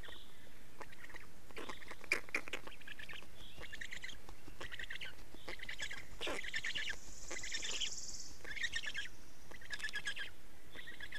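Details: Nest change and feeding of Estonian black storks on 24 May 2019 at 15:15. Bouts of harsh, clicking, pulsed squeals are broken by pauses, and a brief high hissing sound comes midway.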